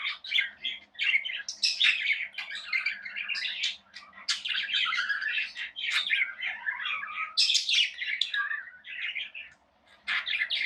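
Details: Budgies kept as pets give a long run of warbling chatter, with mixed squeaks, chirps and buzzy notes blending together almost without a break and a faint low hum underneath.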